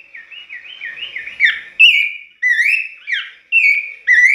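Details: An Abbott's babbler sings a run of clear, rich whistled notes, several slurring upward, in quick succession; this song is heard every dawn.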